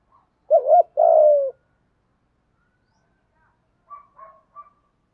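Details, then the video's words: Spotted dove calling in wild doves, thổ pha đồng voice: a wavering double coo and a long rough falling coo, followed by silence and faint thin chirps of other birds. "Tiếng chim cu gáy kích bổi nhanh nổi gù, tiếng thúc gáy gọi bổi nhanh về cội"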